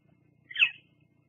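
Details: Female bald eagle perching at her Fraser Point nest, evening of 17 July 2022, live nest cam; a lone piercing chirp, sharp onset and downward slur, lasting about a quarter second over faint background hum.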